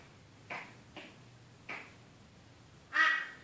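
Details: Crow, seen attacking its reflection, with three soft, far-off caws about half a second apart, followed after a pause by one loud, rasping caw.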